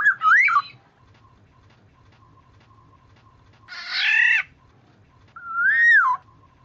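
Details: Black-naped oriole lure recording: a fluid whistled phrase rising and falling, a harsh nasal drawn-out call, then another mellow looping whistle, separated by pauses over a faint steady tone and low rumble.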